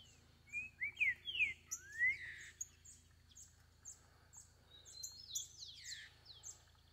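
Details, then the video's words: Wild green-winged saltator singing free in the forest: a loud burst of rich, slurred whistled notes rising and falling over the first two seconds, then softer, scattered whistles, with a steady series of faint high ticks throughout. "Trinca ferro solto na mata"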